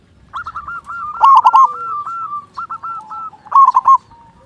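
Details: Zebra dove of a local strain, singing actively with a big voice, used to set other doves singing: a steady series of soft staccato coos broken by two loud, emphatic cooing phrases.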